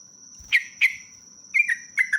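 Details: Sooty-headed bulbul song for luring other birds: two separate sharp whistled notes, then a quick pair of wavering slurred whistles. A thin, steady high tone persists throughout.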